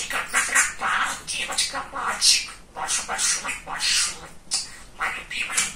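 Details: Pet budgerigar, a funny talkative male, mimicking words indoors in continuous raspy high-pitched chatter with short rhythmic gaps.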